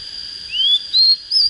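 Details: Oriental magpie-robin, a plain untrained bird just coming into breeding fire, singing three clear whistled notes, the first rising smoothly, the next two higher and sustained, over a steady high electronic-sounding whine.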